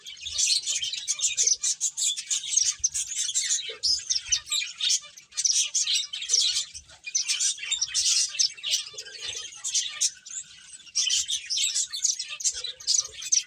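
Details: A lively chorus of finches chirping as they play, steady bursts of high, squeaky tweets running almost without pause.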